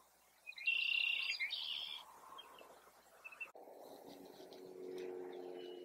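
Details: Savannah sparrow singing in a field, answering another sparrow, where the pair seem to nest; a loud, dense buzzy trill lasts about one and a half seconds, then fades, followed by a low, steady humming drone.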